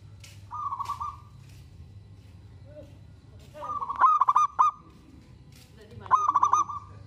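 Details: Local zebra dove, a frequent singer said to provoke other zebra doves into answering, gives three cooing phrases. Each is a steady hum that breaks into quick rolling, stuttered notes. A low background rumble runs throughout.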